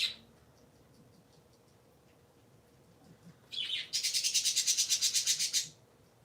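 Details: Three pet parakeets kept indoors on a Sunday morning, heard as a brief high chirp at the start, then after a pause a loud burst of rapid, evenly repeated high chattering notes lasting about two seconds.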